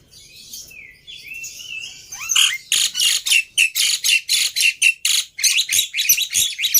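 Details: Black-winged myna lure song to prompt a bird that will not sing: soft rising whistles, then a rapid, steady series of loud, harsh grating squawks, roughly four per second.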